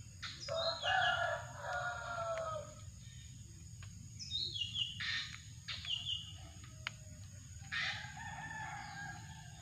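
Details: Drongo used for bird luring, giving a rich harsh phrase followed by repeated descending whistled notes and sharp clicks. The calls come in loose clusters against a steady low rumble.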